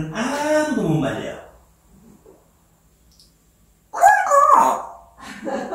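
An African grey parrot talks in short speech-like bursts with clear vowel sounds, separated by a second or two of quiet, indoors.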